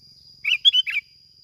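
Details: Bulbul used as a lure, Bình Thuận, singing 'kít bổi': one brisk phrase of four bubbly whistled notes over half a second, with a steady high hum.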